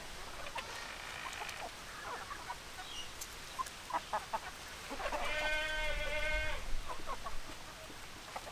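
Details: Hens and roosters: scattered soft clucks for several seconds, then a loud, sustained, rich harmonic call lasting about a second and a half, followed by more clucking and low rumbling underneath.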